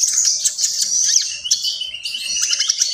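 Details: Common iora (konin) pouring out gacor song: continuous high twittering with sliding whistled notes that dip and rise, run together with no pause.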